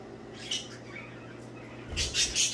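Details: Singing, playful budgerigars: soft scattered chirps, then a loud harsh burst of squawky chatter near the end, with a low hum underneath.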